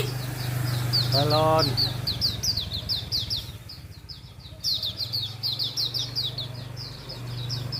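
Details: Wild Hume's white-eye singing in the morning, giving fast high descending twittered notes throughout, with a brief human voice early on and a low engine-like rumble underneath.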